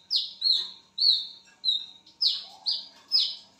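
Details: At midnight a lesser whistling duck repeats clear, high whistles, each sliding down then holding steady, in an uneven run of about seven notes.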